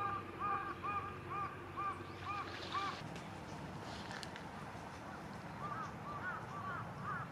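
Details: Carrion Crow parent birds with chicks, recorded on a cloudy day, 24 April 2022: a run of short arched cawing notes repeated about twice a second for three seconds, then a quieter cluster of similar notes after a pause, over steady low background rumble.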